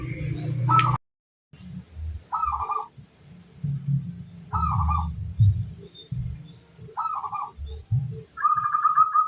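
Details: Crossbred local zebra dove giving brief rolling coo phrases every two seconds or so, each under half a second, over low rumbling background noise.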